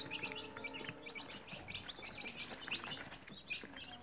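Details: Newly hatched chicks kept in a cage at home keep up a busy chorus of shrill, short peeps overlapping continuously, with a steady low mechanical hum behind them.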